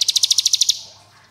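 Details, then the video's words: Prinia trill: roughly ten quick, evenly repeated high notes in under a second, fading out, with a low hum beneath. "Ciblek Gunung Ngebren AK47 Durasi Panjang"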